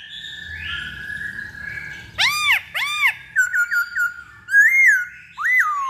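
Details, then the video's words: Black-throated laughingthrush lure song: a steady whistled tone, two loud harsh arched calls, a run of quick notes, then rising and falling whistles. "Pancingan Poksay Hongkong Paling Ampuh"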